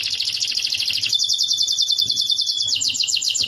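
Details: Canary singing as a model for a lovebird to learn: a dense, fast rattling trill that shifts into a thin sustained whistle overlaid with quick repeated notes, ending in another rapid roll.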